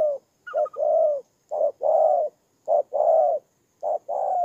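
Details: Decoy spotted dove recorded on the ground in Tumorong, Kon Tum, Vietnam, 23 September 2018, cooing steadily: four phrases of a clipped note and a longer mellow coo, roughly one per second.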